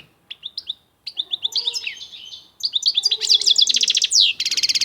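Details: European goldfinch singing: bright twittering song of quick repeated high notes, short chirps and downslurred whistles, building into fast buzzy trills toward the end.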